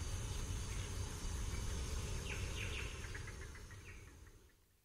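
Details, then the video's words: A duetting pair of barred antshrikes gives a series of hollow, nasal notes that speed up and fade out over about two seconds, with some calls from other bird species and a steady low background rumble. "Barred Antshrike / MCU & MD Song From A Pair Of Duetting Antshrikes"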